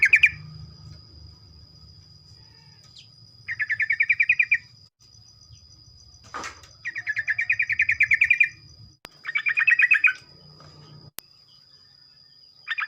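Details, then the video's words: Morning 'ropel' song of a sooty-headed bulbul, played to prompt other bulbuls to join in: bursts of rapid, chattering notes lasting one to one and a half seconds, separated by short pauses, with a constant thin high whine, low rumble and a couple of clicks. "ocehan trucuk pagi hari, merangsang trucuk lain ikut bunyi ropel"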